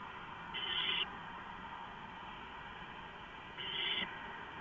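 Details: Owls in a cam housing before dawn, 4:45 AM, 6 April 2015, with three birds inside at once; two grating screeches about three seconds apart over even background hum.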